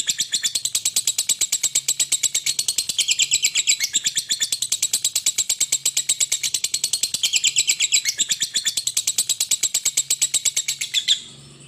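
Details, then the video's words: A lovebird chattering in one long, unbroken run of rapid, shrill, high-pitched chirps, roughly eight per second, held steady for nearly twelve seconds before stopping abruptly, with no other sounds heard. "lovebird sayangan"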